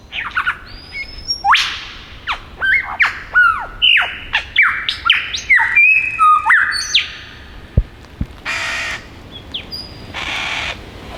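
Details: Male Superb Lyrebird perched on a log in the Dandenong Ranges east of Melbourne, singing a mimicked medley: sharp downslurred whistles, clear tonal notes and harsh noisy bursts follow each other in quick, irregular succession.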